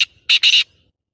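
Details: Black francolin, locally kala tater, giving a loud, harsh phrase of three rasping notes: a brief opening note, a pause, then two longer grating notes close together.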